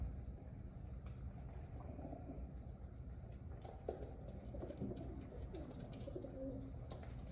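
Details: Pigeons giving low, throaty cooing phrases, clearest in the second half, over a constant low hum with occasional sharp clicks and taps.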